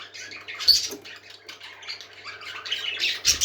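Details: Parakeets singing, a flock of pet birds indoors giving dense scratchy chatter with short sharp squawks and high chirps, loudest bursts near the start and end, a faint low hum underneath.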